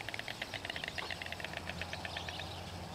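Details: Pair of White Storks greeting each other with a bill-clacking display at their nest site in Extremadura, Spain: a rapid, dry, rattling run of evenly spaced clicks lasting throughout, over a low background hum.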